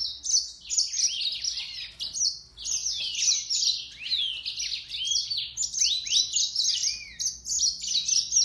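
Mozambique serin singing a fast, continuous jumble of high twittering and slurred whistled notes, rising and falling without pause; nothing else is heard.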